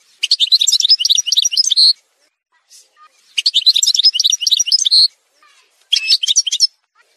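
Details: An Algerian goldfinch in a song montage delivers rapid chattering phrases of bright, tinkling notes, each ending on a brief buzzy trill, three phrases with short silent gaps.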